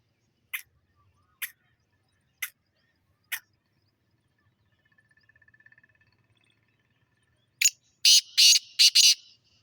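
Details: Black francolin described as a good breed: four sharp, isolated clicks spaced about a second apart, then a faint thin whistle, ending in a loud burst of harsh, rasping, scratchy notes run closely together.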